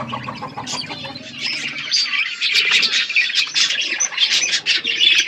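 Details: Wild parrots calling in a dense, overlapping chorus of sharp, high chirps and squawks. A quieter, lower stretch opens the clip, then the chatter grows louder and busier.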